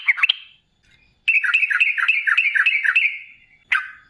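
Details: Sooty-headed bulbul singing in a vigorous rolling style, used to draw other bulbuls into calling; a short bubbly burst, a silence, then a long fast string of warbled, slurred notes ending with one loud note.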